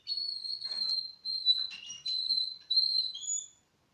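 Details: Young Russian canaries, four months old, deliver long steady whistled tones, each held about a second and repeated, ending in a slightly higher pair of pure notes.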